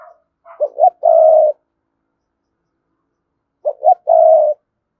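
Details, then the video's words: Cườm Sa spotted dove cooing a full calling sequence meant to draw in wild doves. Two phrases about three seconds apart, each made of two quick rising notes followed by a long, even, hollow coo. Clean, quiet background. "Chim cu gáy Cườm Sa thúc gù gáy gọi đủ bài. chim cu gáy kích bổi nhanh nổi"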